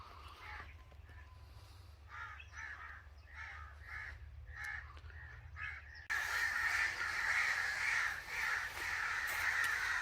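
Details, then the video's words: Angry crow: separate short raspy caws repeated about twice a second for six seconds, then an abrupt switch to louder, continuous harsh cawing. "Angry Crow Sounds"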